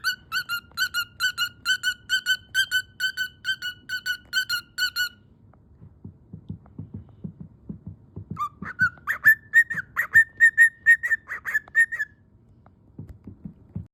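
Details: Cockatiel (Nymphicus hollandicus), calls: protesting against going to sleep.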